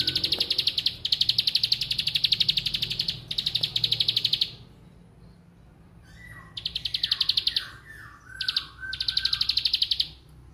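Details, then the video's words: Bar-winged prinia giving rapid, high, buzzy clicking bursts about a second long, broken by a few lower, falling whistled notes. "Suara Bren Lato Lato"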